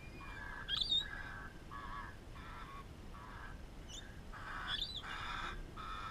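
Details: Lorikeets at a farm give harsh, grating screeches in quick bursts about every half second, with a few thin high squeaks mixed in over a steady low rumble.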